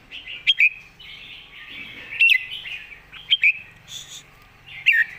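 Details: Caged red-whiskered bulbul in master-song style: short, emphatic doubled whistles recurring about every second, set against a continuous soft warbling and faint chatter from other birds.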